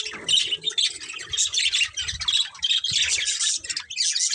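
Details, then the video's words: Budgerigars of a breeding pair chattering in a dense stream of harsh, buzzy chirps and squawky notes, bursts overlapping with brief dips, plus faint low thumps beneath. "Cute Colourful Budgies Chirping Sounds"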